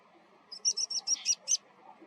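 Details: Water pipit giving its take-off call, six or seven quick, thin, high-pitched notes run together in under a second over faint background hiss.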